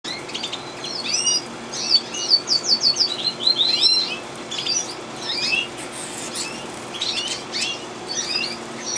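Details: Gloster canary singing, recorded 2011: a continuous, varied, high-pitched warble of rapid chirps and sweeping notes, including a run of quick repeated trill notes, over a steady low hum.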